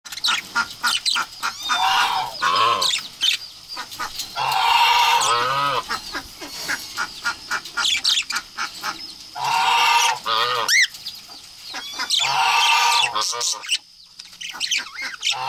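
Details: Confetti-coloured budgerigars chatter loudly and almost without pause, a dense warble of scratchy notes, buzzy trills and wavering whistled phrases, broken by brief quiet gaps.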